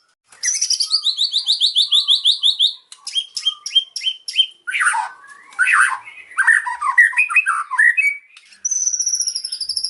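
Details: Singing white-rumped shama performing cililin mimicry in pastol style: a long, rapid, high pulsing trill, then sharp repeated notes, descending slurs and varied warbles, ending in another thin high trill.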